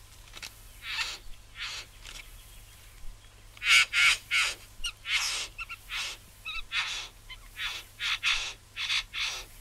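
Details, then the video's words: Satin Bowerbird from Australia, rapid harsh buzzy and hissing notes in irregular clusters, some quick clicking rattles among them, over a low background hum. "Satin Bower Bird"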